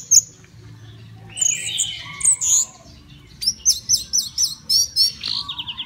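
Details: Caged orange-headed thrush, a contest bird readied for a songbird competition, singing high clear whistled phrases, then a fast series of about eight short, sharp, repeated notes over two seconds, ending in descending chips.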